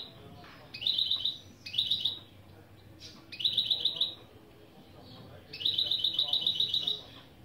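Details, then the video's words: A mule, a goldfinch crossed with a canary, repeating opening song phrases as a lesson: four bursts of quick, shrill chirping trills, the last the longest, separated by short silences. "Saka Melezi Ön Çıkışlar"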